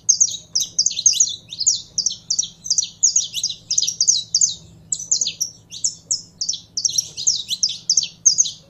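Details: Song of a saffron finch kept as a cage bird and primed to sing: fast, high, scratchy notes strung into repeated bursts with short pauses, steady throughout, faint low electrical hum behind.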